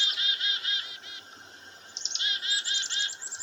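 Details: Alarm calls of black-capped chickadees, three in a sumac bush by a farm house, reacting to a northern goshawk hunting a dove: rapid harsh buzzy notes, then a short lull, then high thin chips leading into more buzzing.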